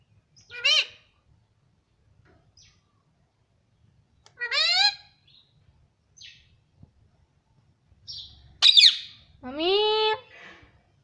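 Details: Pet green ring-necked parrot talking in Hindi, taught to say "mummy": scattered harmonic word-like calls with short squeaks, the last a long rising-falling syllable.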